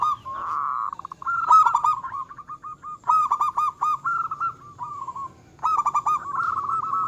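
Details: Local zebra dove singing actively, its song said to provoke rivals: a drawn-out coo opening into repeated bursts of quick clipped notes in groups, separated by short gaps, faint higher bird chirps behind.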